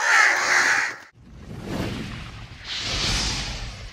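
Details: Crow calling during a fight and feeding: one loud, rasping, broadband caw lasting about a second, followed by rushing noise and a softer hoarse sound.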